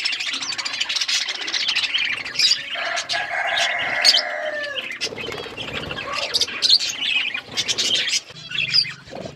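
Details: Several pet budgerigars eating and chirping, with rapid high twittering and scratchy notes, a longer harsh buzzy note early on, and wing-flutter and rustling sounds mixed in.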